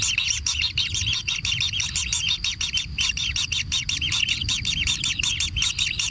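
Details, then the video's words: Begging from kingfisher nestlings during feeding at a natural nest: a hurried series of high, scratchy chirps, tightly repeated and rising in intensity. "Anak Tengkek Diberi Makanan Semakin ExTrim - Natural Kingfisher Bird Nest"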